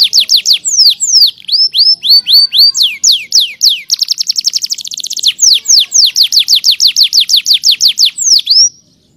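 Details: Lively canary singing as a master song for other birds: a long run of repeated downslurred whistles, a burst of rapid buzzy rolling trill, then more rhythmic swooping notes ending in one drawn-out slur.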